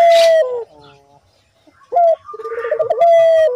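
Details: Collared dove calling, recorded as a lure to coax doves into calling: a clear sustained coo dropping in pitch, a quiet gap, then a bubbling pulsed trill running into another long steady note.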